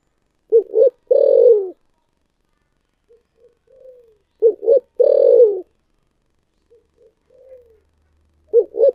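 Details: Spotted dove in thổ sấm voice repeating its phrase about every four seconds, each a pair of short hoots and a long descending coo, with soft quiet notes between phrases.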